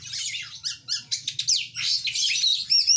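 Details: Oriental magpie-robin singing a fast, varied burst of scratchy chatter and clear slurred whistles, ending on a bright high whistled note, with a faint low hum beneath.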